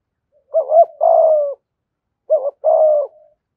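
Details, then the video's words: Spotted dove cooing in the 'thổ' style, 'gù thúc', played so wild doves come quickly; two full phrases, each a quick two-note coo leading into a sustained falling note, about two seconds apart. "Tiếng chim cu gáy giọng thổ Gù Thúc giọng hay, tiếng thổ hạp bổi nhanh về cội"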